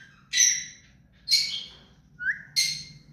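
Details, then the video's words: Hand-tame pet rose-ringed (ringneck) parakeet gives four harsh, grating screeches about a second apart, each short and high, over a low background hum. "Mithu parrot hand taime and clear sound"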